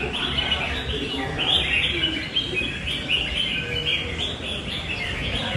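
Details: Red-whiskered bulbul, described as responsive and tail-flaring, singing loud and long in a fighting bout. Bright, chattering whistled phrases stack densely between mid and high pitch without pause, over a steady hum of background noise.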